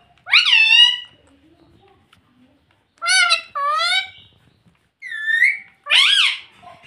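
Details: Indoor talking parrot, trained to say mummy and papa, gives four loud, nasal, word-like squawky utterances with gaps of silence between them. Some are single and some come in quick pairs.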